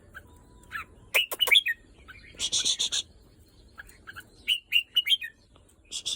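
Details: Red-whiskered bulbul, pent up for several days, delivers bright slurred whistle phrases and chirps, broken by a harsh rattling burst and sharp clicks.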